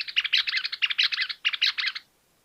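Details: Greater Wagtail-Tyrant giving three quick bursts of scratchy, chattering notes within two seconds, then silence.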